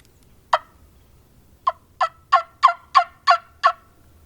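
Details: A wild turkey tom on a rise during spring hunting season, Monday morning, gives a single raspy note then a quick run of seven harsh, clipped calls, about three per second, in quiet woods; it had gobbled and putted nearby.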